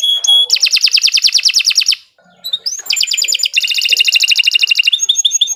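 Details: Canary song played to get birds singing: fast rattling trills broken by a brief pause, then more rapid buzzy trills and a few short clear whistles.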